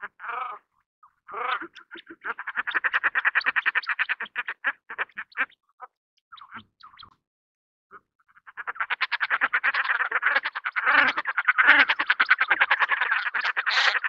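Common Shelduck giving fast, nasal cackling runs, many pulses per second, in two long bursts separated by a few scattered notes and a brief pause.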